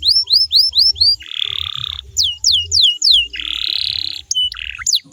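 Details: Canary song meant to draw replies from other canaries: repeated falling whistled notes broken by two long buzzy rolled tours, with a few looping whistles at the end and faint low knocking.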